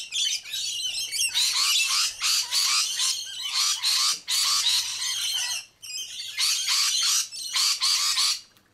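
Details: Rainbow lorikeets feeding on sunflower seeds in Sydney, chattering in harsh, screechy bursts about a second long, several birds overlapping with brief pauses between volleys.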